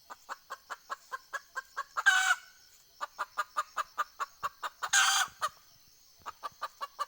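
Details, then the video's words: Junglefowl decoy hen calling to wild fowl, 20 April 2020: fast, regular clucking runs interrupted twice by loud rasping squawks, each followed by renewed strings of crisp clucks. "ไก่ต่อแม่กะตาก poj qaib dib tsauj zoo cuab heev"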